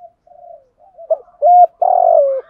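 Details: Spotted dove calling as a lure for rival wild doves to come and fight. Gentle murmuring leads into a loud phrase: a short hooked coo, then a long vibrating coo that sinks at the end.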